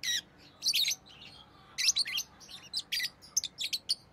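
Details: Rosy-faced lovebird making a lively run of shrill chirps and rasping squeaks, grouped in short bursts after a brief quiet gap.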